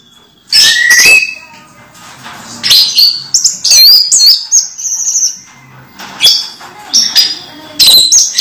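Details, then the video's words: Pet orange-headed thrush during moult: loud, varied song of rising whistles, rapid twitters and squeaky trills in repeated bursts, with quiet gaps between them. "Anis merah mabung masih teler"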